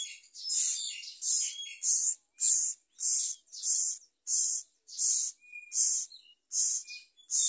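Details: Begging myna chick being fed a big blue caterpillar by a parent: loud, raspy, hissing calls in a fast, regular train, roughly one every three-quarters of a second, with a few thin whistled notes in between.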